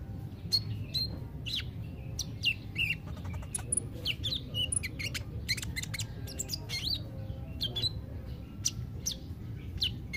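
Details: Kolibri ninja sunbird in a busy run of high, quick chirps, squeaky twitters and brief whistled notes, almost continuous, with a low rumbling background hum.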